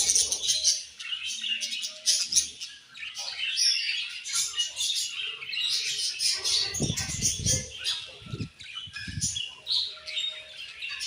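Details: Colorful budgies chatter nonstop in high, scratchy chirps and warbles, with a few soft low thuds toward the later part.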